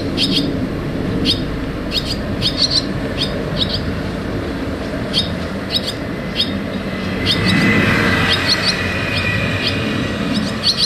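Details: Young barn swallows moving in and out of their nest give sharp, high chirps in irregular runs, partly drowned midway by a passing vehicle's swelling roar amid constant traffic noise.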